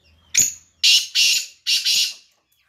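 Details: Black francolin giving its morning call, loud and close: a series of four harsh, scratchy broadband notes, the middle pair running together, then a brief pause and a final grating note.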